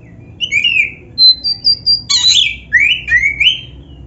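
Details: Varied master song of an oriental magpie-robin of the black-breasted form, used to lure and train kept birds. Pure whistles, a harsh buzzy burst midway, then rising slurred whistles repeated twice.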